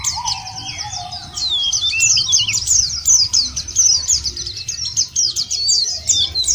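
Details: White-eye lure song to get birds singing; a long unbroken run of rapid high twittering with sharp swooping notes, plus a lower whistled phrase near the start and background rumble.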